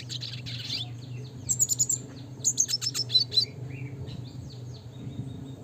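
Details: Classic red siskin (Spinus cucullatus) singing in the lively 'gacor nembak ngeroll' style, recorded for training birds. A burst of high, thin twittering and quick chirps fills the middle, over a steady low hum.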